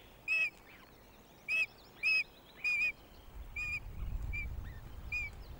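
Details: Female osprey fish-calling at her nest at Loch of the Lowes, Scotland, on 19 May 2022, shortly after her first chick hatched, as her mate arrives with a fish: loud, piercing high whistled yelps in short separated bursts, then a low rumble.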